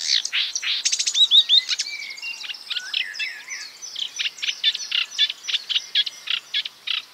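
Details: Marsh warbler pouring out borrowed phrases of other birds: an opening flurry of rattles and slurred notes, then a long even series of sharp repeated chips at a steady rhythm.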